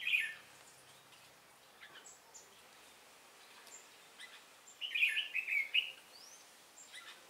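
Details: Red-whiskered bulbul kept as a decoy for trapping, singing to challenge rivals, 10 December 2016: a loud note opens, then a pause of faint chips before a rapid, bubbly, rolling phrase of several slurred notes.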